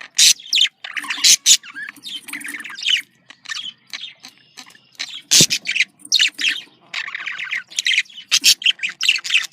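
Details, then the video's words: Budgerigars, male and female, calling to prompt mating: scattered sharp clicks and chirps mixed with softer scratchy warbling, uneven bursts with brief gaps. "dişi muhabbet kuşu kızıştırma sesi erkek muhabbet kuşu kızıştırma sesi"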